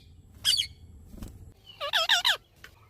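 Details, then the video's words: An Indian parrot gives a harsh squawk, then four quick rasping screeches with rich harmonics; a faint low hum runs underneath. "PARROT| BIRDS SOUND|INDIAN PARROT|🥰 PARROT SOUND 😍"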